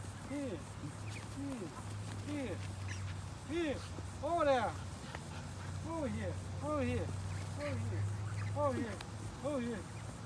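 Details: Wild ducks being fed in the United States give repeated short arched nasal quacks, roughly one each second, over a steady low hum and people talking.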